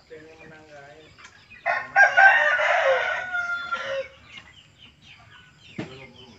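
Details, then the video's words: A hen that crows: a voice speaks briefly, then comes a strained, raspy crow, about two seconds long, starting with a short note and stretching into a long grating phrase. Faint chatter follows. "ayam betina berkokok"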